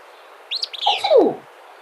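Willow Flycatcher giving its quick, sneezy, buzzy burst of a song that drops into a lower slurred note, heard once in a quiet room.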